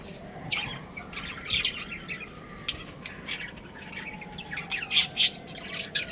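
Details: Chattering from a breeding pair of budgerigars: irregular, rapid scratchy chirps and squawky bursts, growing louder near the end, over a faint steady indoor hum.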